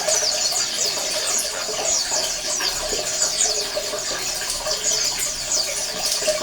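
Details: Colony sound of Oriental white-eyes for getting quiet males to sing: a busy tangle of high, sweet chirps and short falling twitters from many birds, layered over a continuous hum and hiss.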